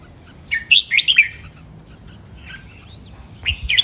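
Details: Red-whiskered bulbul training song, sung in the len rik, nap dok, mae bot and lak wai styles. One quick, bubbling phrase of four bright whistled notes, then a faint call and the start of another phrase.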